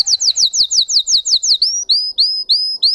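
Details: High song phrase from a Russian singing canary: about ten quick downslurred notes in a row, then a slower sequence of clear upswept whistles, each repeated around three times per second.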